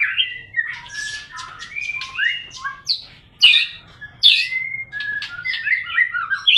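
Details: White-rumped shama (murai batu) singing a lure song for morning and evening: loud, varied bursts of whistles, harsh notes and downslurred phrases, repeated about seventy times a minute in irregular spurts.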